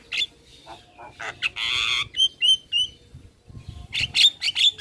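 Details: Javan myna (jalak kebo) giving lively tutoring song to get other mynas singing: a harsh, raspy burst, then clear whistled upslurs repeated about every quarter second, ending in squeaky chatter.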